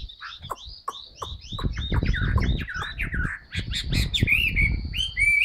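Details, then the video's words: Caged Chinese hwamei with fresh plumage, singing a quick series of short whistled notes and slurs over heavy low rumbling and knocking noise, ending with clearer drawn-out whistles. "HM 275 siêu mẫu áo mới đẹp long lanh hót xòe bền"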